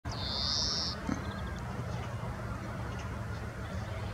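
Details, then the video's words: A European greenfinch calling in Nelson Mandelapark, Amsterdam, on 5 April 2023 gives one long, nasal, buzzy wheeze lasting nearly a second, then a few faint short notes, over a low rumble of traffic. "Roepende Groenling/European Greenfinch calling"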